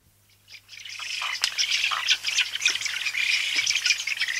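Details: Spoonbills recorded close up, with a dense, continuous mass of high, scratchy squawking chatter that swells in after half a second and stays busy throughout, many overlapping calls.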